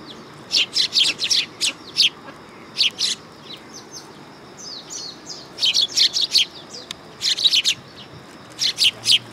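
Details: On 3 September 2022, sparrows gather on a raised platform at a Tenmangu shrine, chirping busily in rapid runs of short, harsh notes with brief pauses between bursts.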